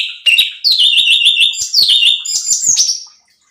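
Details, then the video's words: Cucak cungkok bulbul delivering a rapid, ringing song meant to provoke other birds: fast strings of high, clear whistled notes, sliding and warbling, packed closely and repeated in three lively phrases. "CUCAK CUNGKOK GACOR || Pancingan Cucak Cungkok Malas Bunyi | Bikin Emosi Burung Lain"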